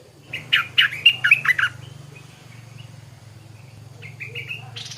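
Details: Morning song of a stripe-throated bulbul: a quick run of loud, bubbly warbled notes, then a few thinner whistled notes after a pause, over a steady low hum.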